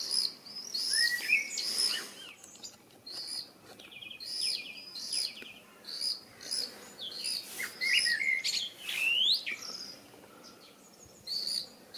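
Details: Common swifts exploring a nestbox on a house give shrill, buzzy, high-pitched screams in short bursts about once a second, with a few brief chirps and rising whistled notes between them.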